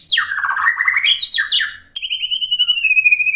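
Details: White-rumped shama delivering a provoking song to rouse rival shamas: a fast swooping warble with sharp downward strokes, a brief gap, then a long, slightly falling whistle with gentle vibrato.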